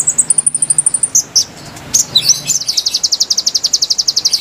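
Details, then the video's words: Konin singing for luring wild birds: opens with a very high thin trill, a pause with a few sharp chips, then a steady fast series of loud repeated high notes to the end. "PIKAT KONIN KONIN LIAR | KICAU MERDU ASLI SUARA BURUNG"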